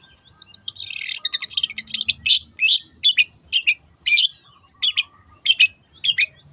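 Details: Lure recording of a long-tailed shrike in 'teot teot' song: opens with a thin rising whistle into a rasping chatter, then evenly spaced, scratchy high bursts roughly every half second.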